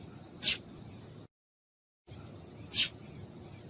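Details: Calls of a female double-collared seedeater used to stimulate the male: two brief, high, clicky chirps separated by a stretch of complete silence, with faint hiss between them.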